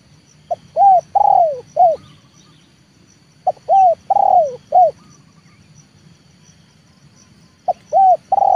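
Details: Spotted dove luring call used to train a bird for trapping, loud hoarse cooing phrases of short notes around one long downslurred coo, repeated in three bursts with pauses between.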